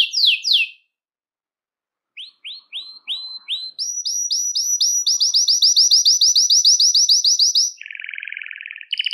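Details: Belgian canary singing, a song meant to attract and call other canaries: a few descending chirps, a pause, rising slurred notes, then a fast even trill at a high pitch and a lower buzzy roll.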